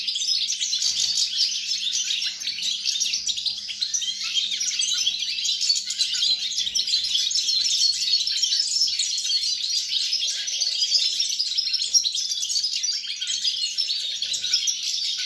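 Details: European goldfinch song recorded on 29 December 2022: a dense, unbroken stream of bright twittering and tinkling notes, rapid and jumbled throughout, with a faint low electrical hum beneath.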